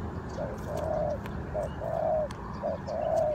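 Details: Spotted dove call used as a lure for bird trapping: three low cooing phrases, each a short coo followed by a longer drawn-out one, over steady background hiss.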